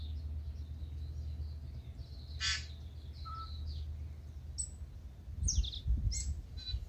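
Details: Before sunrise in Manawatū, New Zealand, a waking tūī gives harsh wheezy bursts and brief high whistles. One short mid-pitched pure note, faint high twitters between calls, and a steady low hum underneath.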